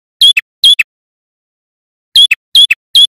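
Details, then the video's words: Loud male prinia song used as a trapping lure for wild birds. Two quick high squeaky doublets, a gap of over a second, then three more evenly spaced doublets of a bright whistled chip and a lower clipped note. "Suara Prenjak Kepala Merah Jantan Gacor"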